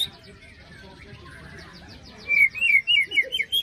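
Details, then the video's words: Post-moult white-rumped shama used as a lure to restart singing: soft chattering, then a fast string of looping, bouncing whistled notes. "Pancingan murai batu macet bunyi paska mabung terbaru besetannya bikin ngilu!!"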